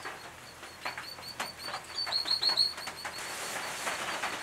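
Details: Brown treecreepers (eastern subspecies Climacteris picumnus victoriae) at a nest box in restored woodland in the Capertee Valley, NSW, late August 2018, give a quick run of high, sharp chip notes, several per second, with soft rustling and fluttering wing sounds.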